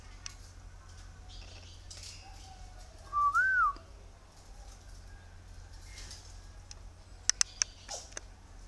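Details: A captive bird locally called khiếu đất or mi đất, trapped on Ba Vì mountain and tamed to eat bran feed, gives one short clear whistled phrase that rises and then falls. Faint clicks follow near the end.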